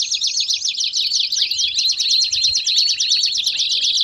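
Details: Canary singing baderna style to excite other canaries: fast, tightly packed chattering trills high in pitch, rolling on steadily with short sliding whistles woven in.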